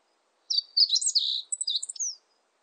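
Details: Full song phrase of a Meadow bunting, recorded in 2020 by the National Institute of Biological Resources: high jumbled chirps and short trills for about a second, a brief break, then stuttering notes closing with a falling whistled slur.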